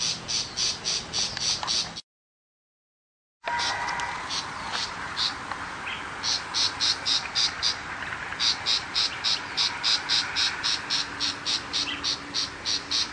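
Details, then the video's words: Tiger shrike in a countryside setting: bursts of quick, harsh, repeated chatter notes, broken by a short silent gap. Later the rhythmic series returns steadily over a low hum, with some fainter lower sounds. "Chim Bách thanh vằn ở vùng quê"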